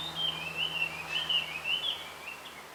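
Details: On a bamboo hill, a male blue rock thrush calls to attract a female with a fluid, rippling string of high whistled notes that fades toward the end, over faint background noise.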